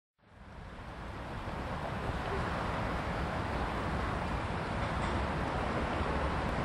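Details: In Vienna's Belvedere, a swelling wash of wind and traffic-like rumble fills the air, with no crow calls audible.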